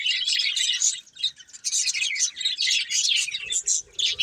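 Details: Chirping budgies from a colourful breeding pair: lively, gravelly high twitters delivered in bursts of about a second, with short gaps between them.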